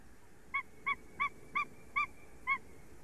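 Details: Calls from mating white-tailed eagles in Latvia, 29 February 2020, 9:40 in the morning: six short, barking yelps in an evenly paced series, about three each second, against faint steady noise.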